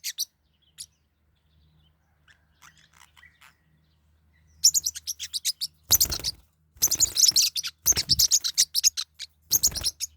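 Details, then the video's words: Pet Forpus parrotlets fighting: a few faint scattered chirps, then a loud run of sharp, buzzy high chirps in quick bursts, mixed with flapping and scuffling thuds. "My birds are fighting What should I do? | forpus parrot bird"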